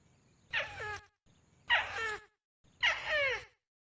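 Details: Crake used as a lure call, giving three harsh, raspy bursts about half a second long. Each has falling overtone streaks and is separated by short silences, over faint low hum.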